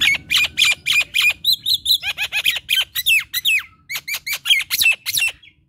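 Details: Dense, fast chattering of a Nias hill myna: harsh buzzy squawks alternating with short whistled slurs, roughly three notes each second, in the energetic gacor kemrewek manner.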